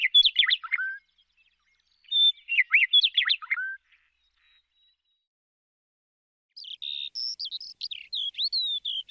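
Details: Lark singing varied, fast warbling phrases of sweeping slurred notes, a pause of a few seconds, then a run of high, thin whistled notes and quick twitters; otherwise silent background.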